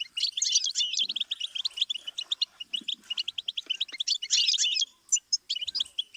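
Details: Goldfinch song from a stimulus series for teaching songbirds: dense, rapid twittering with rattling trills and squeaky notes, ending in a few isolated high chirps.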